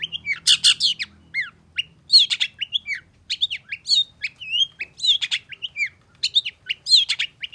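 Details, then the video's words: Long-tailed shrike singing energetically in response to a rival: rapid bursts of harsh, buzzy notes mixed with slurred whistles curving down from high to mid pitch, in irregular phrases with short gaps. "KICAU CENDET GACOR EMOSI CEPAT DI RESPON PENTET LAWAN"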